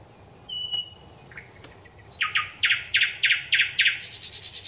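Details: Singing thrush nightingale recorded 25 May 2021: scattered whistles and a rising note lead into seven strong repeated chock notes about three per second, then a high buzzy rattle.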